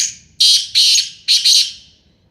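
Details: Sindhi kabootra black francolin giving its call: three loud, rasping, broadband bursts within about a second and a half, the final burst split in two, each ending in a trailing hiss.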